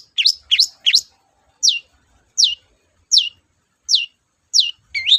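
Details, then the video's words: Cendet, the Long-tailed shrike, in lively song: quick rising chirps at the start, then a steady series of sharp whistled upslurs about every 0.7 seconds, ending with another fast chirp. "BURUNG CENDET GACOR DORR, BIANGNYA PANCINGAN CENDET LOYO"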